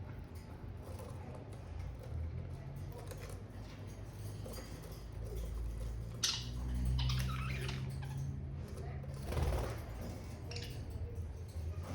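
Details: A steady low rumble fills the recording, with a brief hum partway through and a few soft rustling bursts. No distinct bird or other animal calls stand out.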